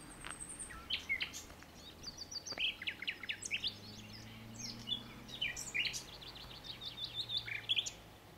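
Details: Common nightingale song, quiet and somewhat distant: varied sharp whistles, quick repeated chirping notes and short trills delivered in bursts, with a steady low hum underneath.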